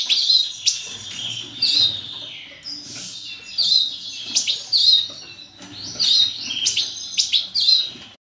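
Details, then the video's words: Captive-bred European goldfinch, major type, singing a long varied song of tinkling twitters, nasal buzzes and sharp chirps in uneven bursts over eight seconds, with low room noise beneath. "Breeding carduelis major"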